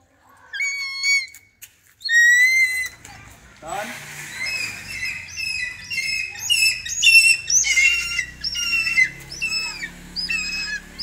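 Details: Hawk-eagle during training gives a few clear shrill whistles, then a long, busy run of squealing, slurred high calls over a soft noisy background.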